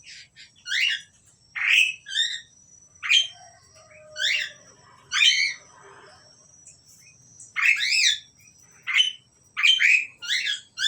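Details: A pair of Asian pied starlings calls continuously, trading short harsh, buzzy notes in quick irregular bursts, some doubled, over a quiet background.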